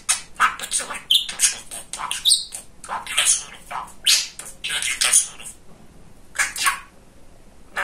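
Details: Talkative pet male budgerigar mimicking speech: quick strings of thin, buzzy syllables with a few pure whistled notes, the chatter stopping briefly near the end before resuming.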